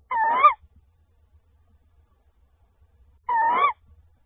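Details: Tawny owl on 28 February 2024, at the moment the male brings prey: two brief, hoarse, upward-inflected calls about three seconds apart, with near silence between them.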